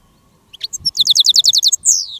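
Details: Decoy goldfinch used with a female decoy to lure wild goldfinches in the countryside during silvestrismo: a few sharp chirps lead into a fast, evenly spaced run of high tinkling notes ending in a drawn-out buzzy slur.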